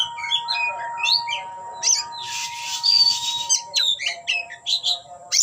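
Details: Oriental magpie-robin singing in full display, opening its tail: quick high whistled and twisting notes alternate with a long harsh rasping burst midway. A steady electronic tone hums underneath throughout.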